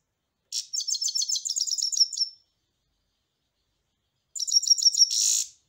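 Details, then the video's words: European goldfinch singing: two bursts of bright, rapid twittering, high and tinkling, with quick chirps and short trills. The first burst lasts about two seconds and the second about one second, separated by silence. "جميل جدا carduelis الغناء"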